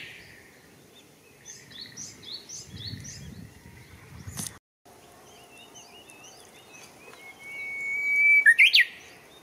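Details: Japanese bush warbler singing in Showa Kinen Park on 10 April 2021. Chattering birds and low rustling come first, then a sustained steady whistle of about a second and a half breaks into a loud, quickly rising ending flourish.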